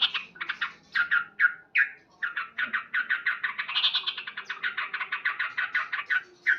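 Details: Male yellow-vented bulbul singing loudly in the morning: a fast, dense run of harsh, chattering cuk notes, around twenty-five in six seconds, with a few short breaks and a louder burst near the end.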